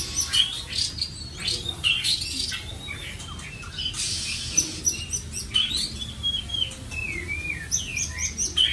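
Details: A captive white-rumped shama kept at home sings rich, varied phrases of clear whistles, sweeping rising and falling notes and sharp chips, flowing with little pause.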